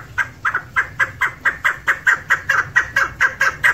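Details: Calls of a female chukar used for hunting: rhythmic, husky chuck notes, some doubled, repeated roughly every quarter second over a low background rumble.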